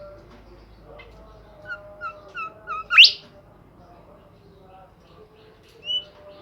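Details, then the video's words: Bimoli bird singing actively: a run of four short, evenly spaced whistled notes that climb, ending in a sharp, loud upward-sweeping flourish, then a single later whistle over quiet background. "burung Bimoli gacor"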